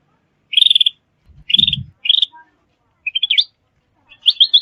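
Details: Lure call of a sooty-headed bulbul for trapping and training birds: quick stuttering trills in short bursts, one rising run near the end, with a brief low thud partway through.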